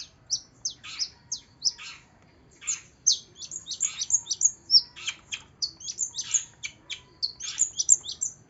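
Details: Long-tailed shrike song used as a lure recording to prompt a reluctant shrike to sing: dense, rapid chatter of high, sharp chirps and downslurred notes, many bursts each second with brief gaps, over a low background hum.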